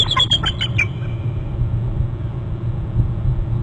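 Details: An eagle at a Hornby Island nest territory calls as both eagles leave the nest, giving a quick run of about six high, thin, chattering notes in under a second, followed by a steady low rumble.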